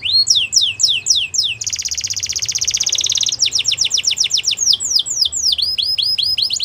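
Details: Belgian canary in full song, opening with rapid falling whistled sweeps, then a dense rattling trill lasting over a second, then more quick downward slurs and rising notes.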